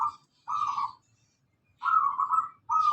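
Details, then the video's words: Zebra dove of local stock singing, used as a lure to train caged birds: repeated rapid, trilled cooing phrases, each under a second, separated by short pauses, with faint scratchy higher sounds. "pancingan perkutut lokal gacor,sekali bunyi langsung moncer"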